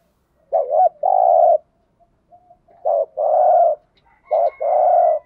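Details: Decoy spotted dove calling to attract wild doves. Three low coo phrases, each a quick wobbling note then a sustained hoarse coo, separated by quiet murmurs, with a thin high whistle in the background at the end.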